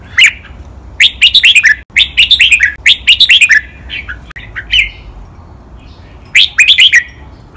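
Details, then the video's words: Caged red-whiskered bulbul training song of the Thai 'lak wai' master pattern with doubled, countable notes: clusters of crisp, falling, liquid whistles repeated in rapid runs, with a brief quieter pause mid-way. "นกกรงหัวจุก | เสียงร้องเบิ้ลๆ นับดอก แม่บท ลากหวาย คมชัดทุกดอก"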